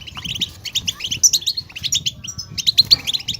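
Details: Goldfinch twittering played to stir caged goldfinches into song: short clusters of fast, bright chirps separated by brief pauses, the final second ending in sharp, clear whistled notes.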